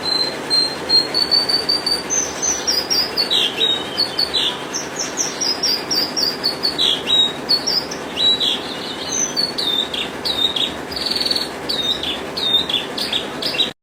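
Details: Australasian bush lark, locally called branjangan, in a continuous, varied song of high, sharp chirps and slurred whistled notes, closely strung together, against constant broadband hiss.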